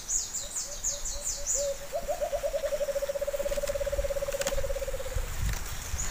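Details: Wild white-eared brown dove (alimokon) answering a kept bird: spaced hoots that speed up into a fast rolling trill, then a long steady run of rapid notes, with high thin chirps at the start and background noise.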